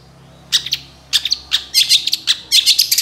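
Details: Long-tailed shrike singing, a lure to make shy shrikes respond: bursts of harsh, high, scratchy chatter in short phrases, growing denser and faster toward the end.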